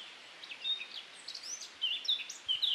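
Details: Singing male Eurasian blackcap recorded on a Panasonic Lumix in windy weather, Wiltshire, UK, June 2019: scattered clear whistled notes and short warbled slurs, some sliding downward, over a steady hiss of wind.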